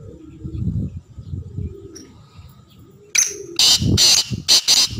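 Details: Black francolin giving a harsh, grating phrase of four loud rasping notes in quick succession after a quiet start, with low cooing and rumbling in the background.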